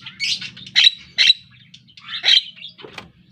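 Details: Javan myna, a pet songbird learning to sing, gives a string of harsh, scratchy squawks and chatters, four loud bursts within three seconds, above a low humming background.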